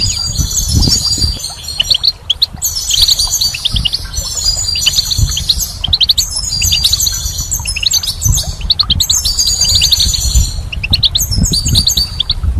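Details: Long run of spring goldfinch song: bursts of bright, rapid twittering and high trills separated by short pauses, steady throughout, with low background rumble.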